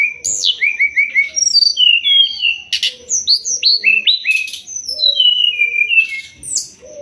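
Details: Master song of a Sumatran leafbird for training songbirds: lively run of short whistled notes, quick downward slurs and chirps, steady rapid phrasing with brief pauses, faint low hum underneath.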